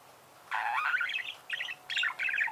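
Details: Budgerigar chirping: a half-second of quiet, then a rough, chattering warble followed by three short twittering bursts.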